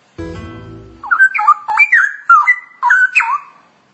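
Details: A brief low humming tone opens, then a straw-headed bulbul (cucak rowo) bursts into ngoceh masteran song: loud liquid whistles, quick gurgling notes and bright upward flourishes in a fast tumbling phrase.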